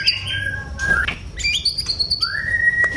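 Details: Oriental magpie-robin singing scattered whistled notes: short high chips, a slurred mid note, then a long clear whistle rising and holding steady at the end.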